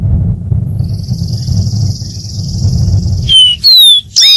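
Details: A thin, high buzzy trill from a dark-throated seedeater runs for several seconds over steady low rumble, then gives way to a few loud, clear whistles sliding downward.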